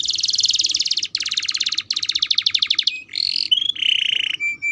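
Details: Young canary in training, singing rapid rolling trills in three long bursts, then a harsher buzzy phrase and short clear whistled notes, loud and close.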